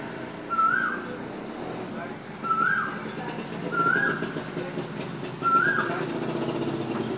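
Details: Koyal, the Asian koel, repeats a rising whistled note four times at uneven gaps of one to two seconds, with low steady background noise throughout.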